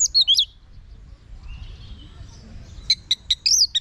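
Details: Orange-headed thrush singing as a vocal tutor for kept birds. A quick high whistled phrase of falling, twisting notes opens, then a quiet gap, then a burst of short sharp notes and a slurred whistle near the end.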